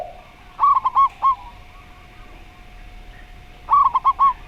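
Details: Zebra dove singing in the slow-voice style, a quick stuttering burst of four or five short, clear cooing notes, the phrase repeated about three seconds later over a faint steady hum.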